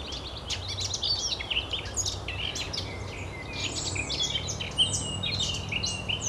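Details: Eurasian blackcap singing on 24 April 2012 at the Oostplas lake in Goirle, Netherlands: a dense, fast warbling run of varied chirps and whistles mid-to-high pitched, with other birds and steady low background noise.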